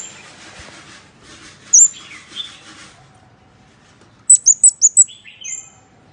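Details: A soft rustle and one high tick lead into a rapid series of five piercing ticks from a scarlet-backed flowerpecker's lure call, trailing off with a thin twittering note.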